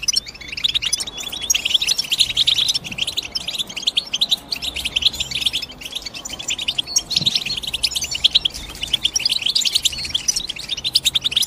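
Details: European goldfinch chirping: dense, rapid high twittering with tinkling notes and short buzzy trills running almost without a break, several birds seemingly calling together.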